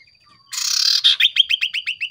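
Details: Lure song of a common iora, the 'sirtu' style meant to make others answer: a rough hissing burst followed by a rapid run of about nine clear, downslurred whistles.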